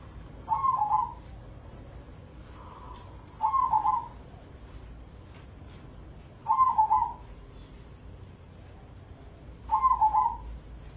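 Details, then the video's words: Zebra dove of crossbred perkutut crossing stock, a caged Indonesian contest bird, delivering four rolling, bubbling coos spaced about three seconds apart, plus one fainter coo early on. "Pancingan Pekutut Crossing Gacor Dorr"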